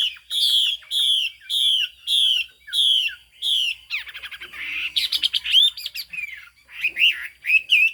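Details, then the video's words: Chinese hwamei from upland Ha Giang, Vietnam, singing high, loud ringing phrases: first a slurred whistle repeated about every 0.7 seconds, then a rich, varied run of bubbling, warbled notes. "Họa mi hót cao cầu"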